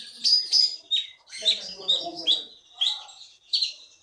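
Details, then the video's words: Champion contest songbird, a konin caught in the Bangka forest and now caged, singing full gacor: loud high whistled and buzzy phrases in short separate bursts, with a softer low chattering passage in the middle. "KEETY BURUNG JAWARA FULL GACOR"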